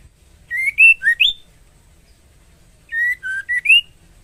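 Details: Female White-rumped shama in breeding condition calling a male to mate: a short phrase of four clear whistled notes, rising then dipping and ending on a higher upslurred whistle, given twice about two and a half seconds apart, in a quiet setting.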